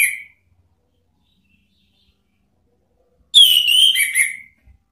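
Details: Orange-headed thrush singing to provoke rivals, a lure recording: a brief whistled note at the start, then after a pause a rich warbled phrase of rich slurred whistles lasting about a second.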